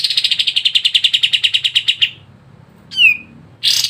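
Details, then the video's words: Sooty-headed bulbul song used as a singing prompt for caged birds. A two-second rapid buzzy rattle stops, then a single falling whistle sounds, followed by another chattering burst. "PANCINGAN BURUNG KAPAS TEMBAK MALAS BUNYI CEPAT IKUT GACOR"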